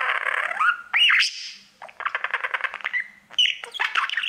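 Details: A pet budgie sings to its mirror, mixing a rising whistle, sharp squeaks and a buzzy rattling chatter in quick succession.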